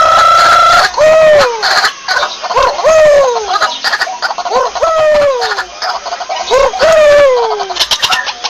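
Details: A white-breasted waterhen (Amaurornis phoenicurus), in a lure-call recording, gives loud, nasal, downward-sliding notes about once a second after an opening steady hoot, with busy chattering in the background.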